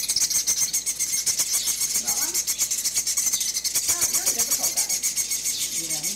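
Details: Chimney swift fledglings being fed at an urban wildlife rescue, hanging on the walls of their box. A continuous high-pitched chittering comes in rapid pulses, about four per second, over soft human voices.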